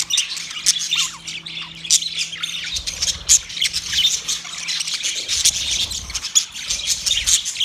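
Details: Budgerigar calls aimed at another budgie: a restless mix of clicks, shrill squawks and fast chirps from several birds, steady and dense across the whole stretch.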